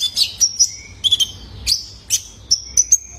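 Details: Juvenile male ruby-cheeked sunbird kept as a cage bird: short, shrill chirps alternating with level, thin whistles, uttered in spaced pairs and singles.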